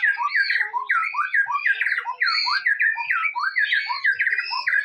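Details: White-rumped shama song played to provoke other shamas into singing: a dense, continuous run of rich warbled and whistled phrases, rapidly repeated notes with rising and falling slurs, loud throughout.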